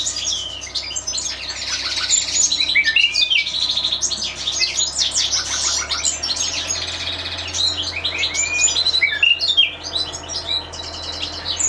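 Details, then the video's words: Several European goldfinches kept in an aviary, chattering and twittering continuously: rapid tinkling high notes, short whistled phrases and buzzy bursts overlapping, with a faint low mechanical hum throughout. "Carduelis Carduelis- European Goldfinches"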